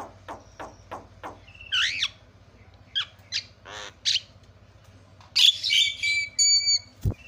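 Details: Javan myna calling used to provoke other mynas into calling: scattered short squeaks, a few hoarse rasping squawks and a loud burst of grating notes with pure whistled tones late on, over a low background hum.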